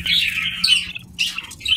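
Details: Lovebird chicks in a pot-style nest box with their mother, begging for food: harsh, buzzy squawks in two bursts about a second apart, loud and close, in an indoor room.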